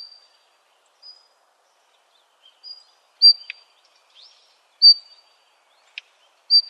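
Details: Daurian redstart near Yeoncheon as its young leave the nest: sparse, thin, high whistled notes spaced a second or more apart, mixed with sharp dry ticks, over near silence.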